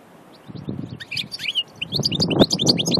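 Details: After half a second of quiet, a goldfinch recorded at Aïn Barbar, Annaba, gives scattered high chirps and twitters. These build into faster tinkling notes over a low, rumbling background.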